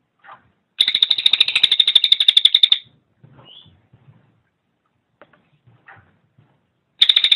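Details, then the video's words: Cililin, recorded for training cage birds: a two-second rapid buzzy trill, one short rising whistle, faint scattered ticks and a long quiet stretch, then another trill starting. "SUARA BURUNG - Masteran Terbaik Cililin"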